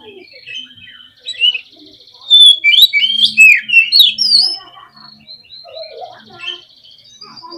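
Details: Agitated oriental magpie-robin song meant to rouse other magpie-robins: a rapid, loud run of twisting whistles, buzzy trills and chirps packed into a few seconds, with quieter twitters before and after and a low hum beneath.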